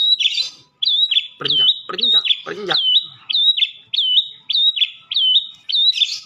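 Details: Madura long-tailed shrike masteran song: a steady series of clear whistled notes that each dip and rise, roughly one a second, with a few lower harsh, nasal notes near the start.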